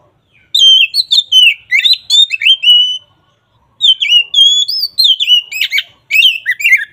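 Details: Ngeplong-style song of an oriental magpie-robin, meant to coax a reluctant magpie-robin to sing. Two long bursts of bright whistled notes, sweeping up and down with quick chattering accents, separated by a brief silence.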